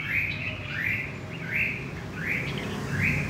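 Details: Red-whiskered bulbul, wild-caught in central Vietnam, repeats a clear upslurred whistled chirp about five times, evenly spaced under a second apart, over soft background noise.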